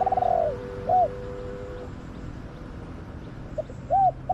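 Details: A spotted dove in a garden, recorded during decoy trapping, gives soft, hollow, slightly arched coos: a longer one at the start, a short one a second later, then a few more near the end, over a low steady hum.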